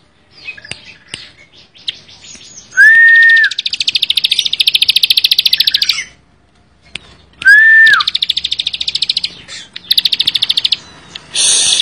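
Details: Bar-winged prinia singing energetically. Two phrases each open with a short arched whistle and run into a long, rapid, buzzy trill of repeated notes, with scattered soft clicks between phrases.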